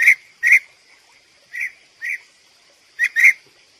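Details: European bee-eater giving short, rolling, mid-pitched notes, singly and in quick pairs, spaced irregularly through the few seconds against a quiet background with a faint steady high hiss.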